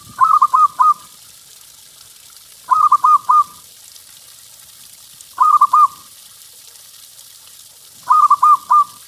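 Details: Loud local zebra dove recorded as a lure to make other doves sing; four evenly spaced phrases of three or four rolling coos, repeated about every two and a half seconds.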